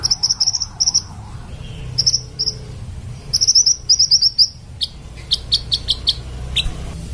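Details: Fairywren song: very high, rapid tinkling trills in short bursts, each a quick run of thin notes, pausing and restarting, with a faint wavering lower tone early on and soft background rumble.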